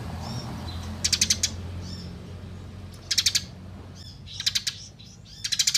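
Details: Eurasian tree sparrow singing a fighting 'ngeroll' masteran song: short bursts of four to six rapid, sharp chirps about every one and a half seconds, with faint softer notes between and a low background hum.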